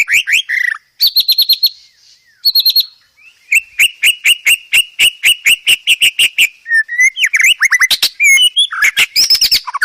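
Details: Training song of white-rumped shama full of fillers: loud shrill whistled phrases, then a long steady series of sharp repeated chips, ending in a tumble of varied high notes.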